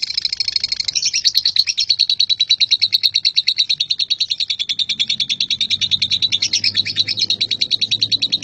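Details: Male lovebird in ngekek style: a long, unbroken chattering trill of rapid, harsh, high notes, about three per second, running steadily for over eight seconds with slight shifts in pitch midway.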